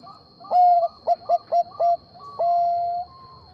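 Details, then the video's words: Bangkok-type zebra dove, singing so that a rival responds straight away. A loud phrase: long coo, four short clipped notes, then a long sustained coo, followed by a softer higher note. Faint constant high whine behind. "Perkutut bangkok gacor mengundang bunyi Lawan langsung Nyaut"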